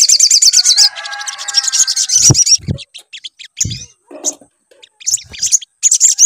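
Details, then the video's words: Sunbird song played to coax another bird into singing: an opening rush of high, fast trills over a lower warble, then sparse sharp chips separated by pauses and soft knocks. "PANCINGAN SUARA SOGON AGAR BUNYI"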